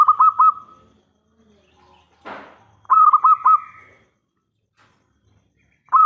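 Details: Zebra dove of local stock, singing as a lure to provoke replies. It gives brief phrases of three or four rapid, rolling coos, and a sharp click falls in the pause between phrases.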